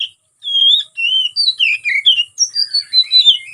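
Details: Oriental magpie-robin (kacer) in full fighting song used to provoke rivals: a continuous run of sweet sliding whistles and warbles, descending and rising phrases linked with little pause.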